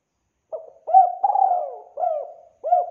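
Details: Spotted dove used as a trapping lure, giving soft, hollow coos: a short note, a longer drawn-out coo, then two more clipped coos, low and mellow in an otherwise silent background.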